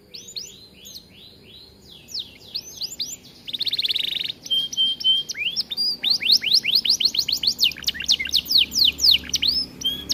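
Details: Kept Atlantic canary singing persistently, a song meant for tutoring other canaries. High sweeping chirps and slurred notes lead into a dense buzzy trill, then fast runs of rising whistles, with a faint low background hum.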